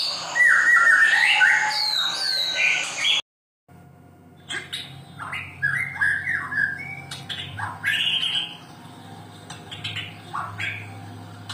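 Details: White-rumped shama song, used to stimulate birds that are lazy to sing or have stopped singing. Rich whistled phrases sweep up and down with rapid twittering notes. A short silent break follows, then quieter phrases over a low steady hum.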